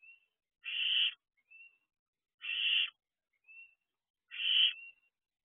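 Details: Barn owl owlets out of the nest box at night, 3 a.m. in June 2023: three loud rasping hisses about two seconds apart, each preceded by a soft thin whistled note.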